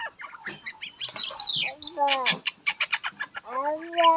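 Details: Shalik (myna) chatter of raspy bursts and squeaks, then a rapid rattle of clicks and a drawn-out, rising nasal whine at the end.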